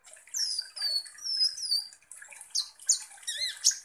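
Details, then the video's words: Van Hasselt's sunbird, a kolibri ninja in full song, used as a lure to provoke konin birds into calling: thin, very high sliding whistles and squeaky descending notes, then a burst of rapid chattering twitters. "PANCINGAN kolibri ninja GACOR"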